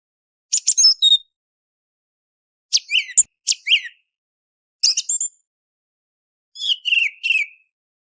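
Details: A song thrush sings at dawn before sunrise in a series of separate bursts: high squeaky notes, a doubled whistled phrase, then a buzzy repeated triple motif. Gaps fall between phrases and the background is quiet.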